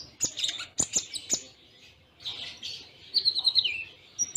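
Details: Konin, or Kolibri Ninja sunbird, delivering Cililin-style song with tight pauses: sharp high chips, a gap, then a buzzy warble sliding into descending twittered notes.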